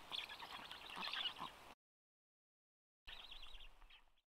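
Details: Black storks call at a nest in Karula National Park on a rainy, cold day, 14 June 2022, as the father arrives to feed the wet chicks. Dense, hurried high chattering and wheezy notes come in a busy burst, then a pause and a shorter rhythmic run.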